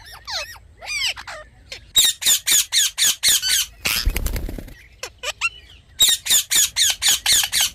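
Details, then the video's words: Rose-ringed parakeet, said to be talking: harsh, harmonic screeches in fast runs of about four per second, broken by a burst of rustling noise mid-clip, then another rapid series of loud squawks. "Parrot Talking Natural Sounds"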